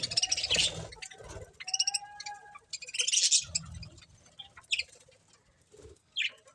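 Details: Budgerigars give bursts of bright, high chirping and chattering, with some low rustling and thumping noise between the calls.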